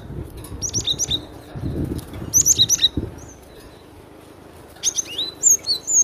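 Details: Loud cinereous tit song of bright, high whistled double notes, delivered in quick clusters with gaps between, against a low rustling, thumping background.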